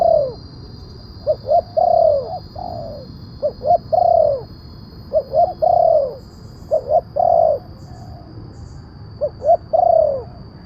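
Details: Spotted dove lure recording meant to pull wild doves down and serve as a model for caged birds: regular phrases of quick short coos capped by a long descending coo, around six phrases, low background rumble and high hum.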